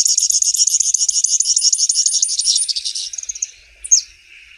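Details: Grassland yellow finch song: a fast, high buzzy trill of rapidly repeated notes lasting about three seconds, fading out, followed by a short sharp upslurred note near the end.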